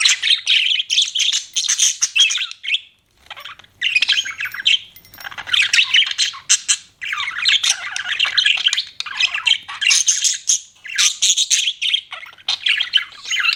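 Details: Pet budgerigars giving dense, high, scratchy warbling chatter in long bursts separated by short silences, roughly every two to three seconds, with rapid squeaky and buzzy notes throughout.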